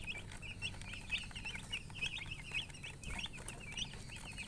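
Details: Chicks chirping together, a continuous stream of high, shrill peeps with quick up-and-down slurred notes, several birds overlapping, over a low rumbling background.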